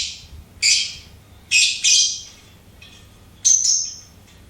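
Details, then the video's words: Pet lovebird chirping: loud, harsh high chirps in short bursts, three clustered early and one longer squeaky note near the end, separated by quiet gaps. "LOVEBIRD SINGING & CHIRPING SOUNDS"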